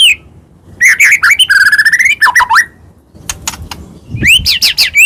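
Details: Medan-type white-rumped shama singing to rouse rival shamas into song: a ringing harmonic whistle, twisting slurred phrases, sharp ticking clicks and a few low thuds among rising whistled notes.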